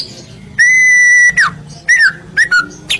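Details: White-rumped shama masteran song used to make other birds sing: a long pure level whistle held for about seven tenths of a second, followed by short down-slurred whistles and chips.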